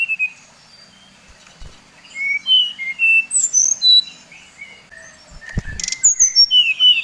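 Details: Brown-chested jungle flycatcher of the Bali type, song used as a lure to rouse other birds of its kind: clear high whistled notes, some falling and some level, in loose runs with brief pauses and a short buzzy burst midway.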